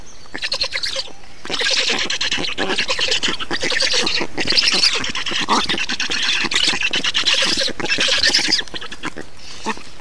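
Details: Black storks in Estonia, feeding on 2 June 2019: after a quiet start, loud, rasping, squealing calls in fast pulsed bursts continue for several seconds, with short gaps, before quieting again.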